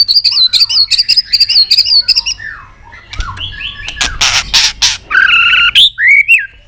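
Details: White-rumped shama clicking and singing excitedly in many voices: a quick series of high repeated notes, then lower slurred whistles, harsh bursts and two clear rising whistles.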